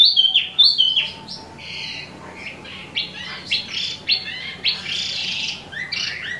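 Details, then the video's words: Actively singing imported Wambi mini (Tieu Mi), a bird for sale: sharp high whistles at first, then varied short chirps and rapid buzzy notes about every half second, over a soft low hum. "Wambi Mini Asli Impor/Tieu Mi Gacor 12 Menit Non Stop"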